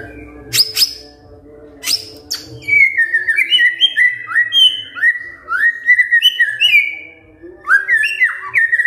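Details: White-rumped shama kretekan fighter call, used to trigger an answer from a silent shama. Loud sharp clicks open the sequence. A long flowing series of stepped, slurred whistles follows, ending with rising notes.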